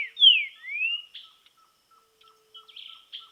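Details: Green-winged saltator in nature during training: two loud slurred whistles, one falling and one rising, then quieter buzzy notes over a faint steady repeated ticking.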